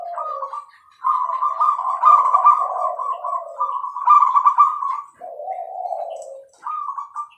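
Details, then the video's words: Zebra dove singing extended rattling, trilled coo phrases, high and low tones interwoven, ending on a lower soft purr and a final short trill. "perkutut gacor suara jernih"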